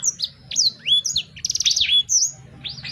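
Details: Sanger bird: a few high slurred whistles, then a rapid buzzy trill and a clear rising-falling whistle, ending in softer chirps, with a low hum behind.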